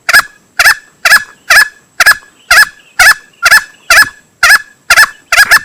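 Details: Male green junglefowl, a call used as a hunting lure: a steady run of about a dozen short, harsh, loud notes, roughly two per second.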